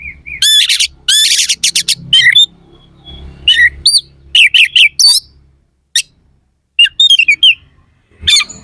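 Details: Singing kacer (Oriental magpie-robin) with coarse, sharp fill-in phrases meant to stir rival birds: opening bursts of gritty rasping notes, a quiet spell, then clipped whistles and chattering trills.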